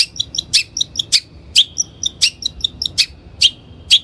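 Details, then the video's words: Long-tailed shrike, recorded as a lure for training birds: a busy mix of sharp high clicks and short chirps with clear whistled tones between them, overlapping in quick irregular succession. "THE LONG - TAILED SHRIKE SOUND"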